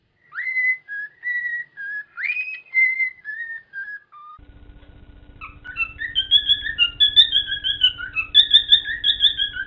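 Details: A male pet cockatiel, perched on his wooden stand, sings happily, whistling a tune of clear, bright notes that slide up and down in short phrases.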